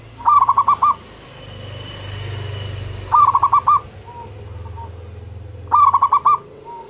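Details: Local zebra dove calling hard to draw replies from other zebra doves; three rolling coo phrases of rapid pulsed notes, about every two and a half seconds, over a steady low rumble and soft single coos.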